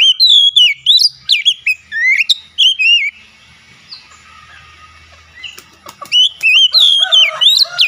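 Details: Oriental magpie-robin delivering sweet, warbled whistles in fast succession, a quiet gap of about two seconds, then another lively burst of twisting notes.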